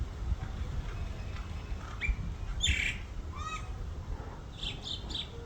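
A young bird gives a few harsh, squawking calls with short chirps in between, over steady low rumbling background noise.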